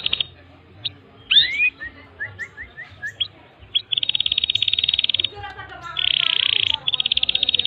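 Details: Canary tutor song: scattered chirps and short slurs, then dense rolling high trills in long bursts separated by brief pauses.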